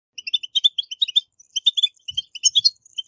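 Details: European goldfinch twittering song, a strong 'batbata' style used to stimulate captive goldfinches to sing: quick bursts of bright, tinkling chirps and short trills, with a brief pause near one second and a faint low thump.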